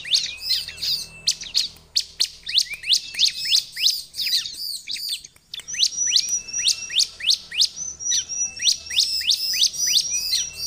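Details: Bar-winged prinia song compiled for luring wild prinias: rapid, dense bursts of high, sharp chirps and trills repeated about three per second, with brief hooked notes and a short pause midway.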